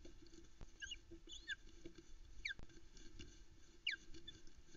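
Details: At dawn, about 5am on 13 July 2019, a female osprey on a Loch Arkaig nest cam calls for food as chicks sit nearby: a few separate piercing whistles sliding sharply downward, with gaps between them, against a quiet low background drone.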